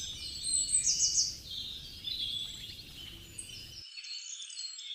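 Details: American goldfinch (Spinus tristis), song.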